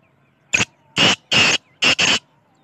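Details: Black francolin, known locally as kala teetar, giving one harsh, grating phrase of five rasping notes: a short opening note, two longer drawn-out notes, then two more in quick succession, with a faint low hum underneath.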